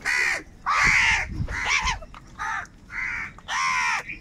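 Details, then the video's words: Angry crows fighting for food give a rapid run of six harsh, raspy caws, some overlapping, each short and grating, with faint thuds underneath. "Different kauwa ki awaz - Angry kauwa ki awaaz | Crow bird unity anger and sound for food"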